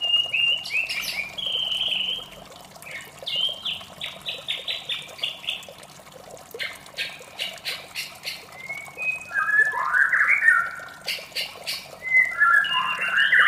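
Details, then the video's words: White-rumped shama in the morning giving a varied song of slurred whistles, rapid clicking bursts and harsh rasping notes, with a steady trickling water-like noise underneath throughout. "suara merdu murai batu di pagi hari"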